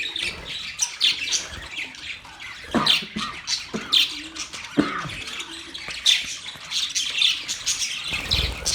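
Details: Several budgies, November 19, 2023, give rapid bursts of scratchy chirps and clear whistled notes. The chatter rises and falls in short waves, with a few soft thumps.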